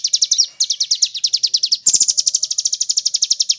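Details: Velvet-fronted nuthatch in a training recording made to teach captive contest songbirds, mixed with woodpecker sounds: fast, even chains of sharp high chips, about eight per second, broken near the middle by a louder, harsher burst of rapid notes.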